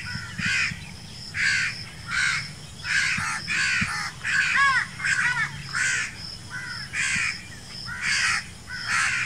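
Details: Little and big crows, the young demanding food: harsh, nasal caws around one a second, some with bouncing, ringing harmonics, in an uneven series over a low rumble of background noise.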